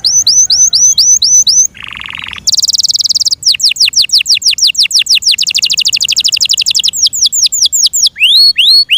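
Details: Kept pet canary, described as a Yorkshire canary, singing fast varied phrases over music: a string of repeated upward-sweeping whistles, a brief buzzy burst, then rapid high trills and rolling notes.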